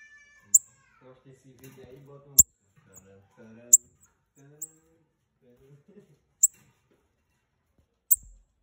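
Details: A pair of Bananaquits calling, used to fire up other birds: sharp, very high, thin chips well spaced at irregular intervals, with a man's low voice talking faintly underneath.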